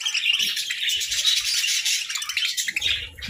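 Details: Feeding budgies on grass and moringa, giving a dense stream of high chirps and warbled twitters with almost no other sound until faint low taps at the end.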